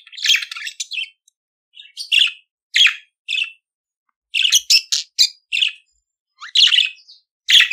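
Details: Budgerigar singing, played to train other budgies: groups of raspy chirps and clicking notes in uneven clusters, quick bursts broken by short pauses.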